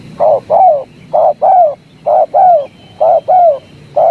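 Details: Tekukur or spotted dove in the tarik akar singing style, giving crisp paired coos, a short note followed by a longer downward-arching one, repeated about every second at an even pace.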